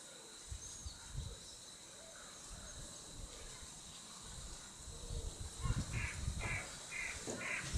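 A Western Marsh Harrier gives four harsh, high notes about every half second near the end, after several seconds of low wind rumble and a faint steady hiss.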